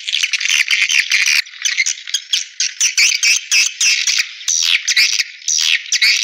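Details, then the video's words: Swiftlet lure calls played to attract swiftlets to bird houses: a dense, high, buzzy twitter in rapid bursts of about half a second, with brief gaps between them and no other sounds. "Suara Walet Panggilan Ampuh"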